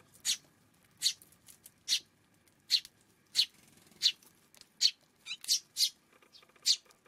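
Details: Eurasian tree sparrow on a June 5 afternoon, calling with loud, crisp chirps about every three quarters of a second, quickening into a tight cluster of three near the end.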